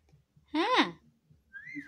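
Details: Pet hill parrot mimicking speech: a brief voice-like harmonic phrase rising then falling, followed by a thin whistled tone, with a low background hum indoors.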